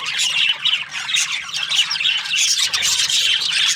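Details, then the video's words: Australian budgerigars in breeding season, a flock chirping happily: dense, continuous squawky chatter of overlapping high chirps and warbles with no pauses. "Happy budgies chirping sounds |Australian budgies breeding season"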